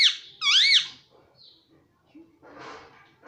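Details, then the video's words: Pet green ringneck parrot talking, saying "mummy" and "papa": a shrill, squeaky two-part utterance with swooping rising-and-falling pitch, then a softer raspy burst, in a small indoor room. "parrot talking mummy papa"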